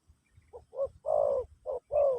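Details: Short excerpt of a spotted dove's Pesom/Kacuk song for teaching a new bird: a few soft rising notes leading into two longer, gently falling coos.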